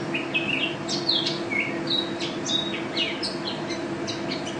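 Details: National champion mountain white-eye singing actively, in teler and ropel styles: bright high chirps, quick rising and falling slurs and a few longer whistled notes, set against a constant low background hum.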